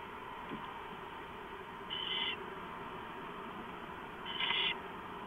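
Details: Owls inside a cam housing at 4:45 AM on 6 April 2015, three present with one staying in; two short, fainter breathy screeches roughly two and a half seconds apart above a steady electrical hum.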